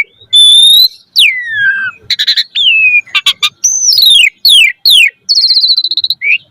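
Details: Asian pied starling singing a rich, varied sequence, used as a lure to train caged starlings: a long steady whistle, a falling slur, dry rattling clicks, downslurred whistles and a buzzy trill.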